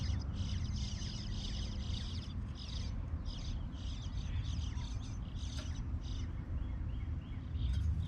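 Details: Young bluebirds chirping loudly while their parents are around: bursts of high, scratchy chirps repeated many times in quick series with short pauses, over a steady low rumble of background noise.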